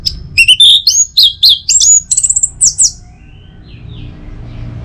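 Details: Orange-headed thrush song kept at home in Singaraja, North Bali, played mornings to stir birds into full song: a rapid three-second run of varied high whistles, rising and falling slurs and clipped chirps, then near silence.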